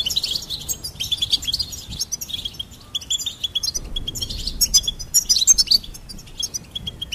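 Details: Goldfinch song, a busy stream of high tinkling twitters and quick trills, almost continuous, with a steady background hiss.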